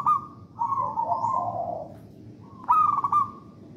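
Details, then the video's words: Local wild-type Javan zebra dove singing in the 'songgo ratu' style, played to prompt other doves to sing. A bubbly, stuttering coo near one pitch, then a long warbling phrase, and a second trilled burst after a pause, over low rumbling background noise. "Perkutut lokal alam gacor songgo ratu"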